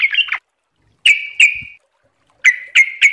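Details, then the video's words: Yellow-vented bulbul (trucuk) song in a tutoring recording: brief bubbly chirps, then a pause, then sharp notes sliding into short level warbles, about seven phrases in three seconds. "MASTERAN TRUCUKAN GACOR||LANGSUNG NYAUT CEPAT ROPEL||TERAPI TRUCUK"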